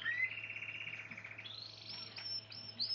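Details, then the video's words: Spanish Timbrado canary holding a long, pure, slightly wavering whistled tone that jumps higher midway, followed by brief high thin notes, softly heard over a low hum. "100% pure Spanish Timdrado Canary wild bird song."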